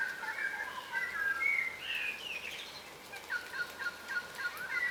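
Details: A group of yellow rosellas, subspecies of crimson rosella, feeding on the ground in Australia: quick, jumbled whistled notes and chirrups run together rapidly, loudest early, then scattered squeaky calls resume.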